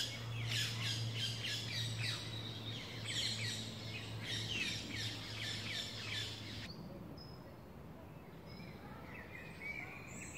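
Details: Eurasian nuthatch parents busy feeding newly hatched young at La Poudrerie on 26 May 2018, after an attack that took one chick: rapid chattering bursts of high repeated notes over a steady low hum, then quieter faint calls.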